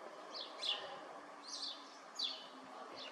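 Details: Eurasian tree sparrow giving short, bright chirps with a downward sweep, in loose pairs roughly every three-quarters of a second, over a steady low background hum.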